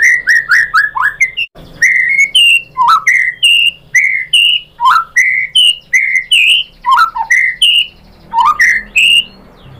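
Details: White-rumped shama (murai batu) singing as a lure to stir another bird into song: rapid series of rich whistled notes, many sharply upslurred or downslurred, repeated in steady rhythm about twice a second with short gaps.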